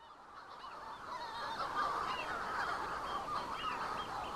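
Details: Manx shearwaters near the Bardsey Bird and Field Observatory on Bardsey Island call together in a dense chorus of harsh, crowing, cackling calls that overlap with no gaps and swell slightly partway through.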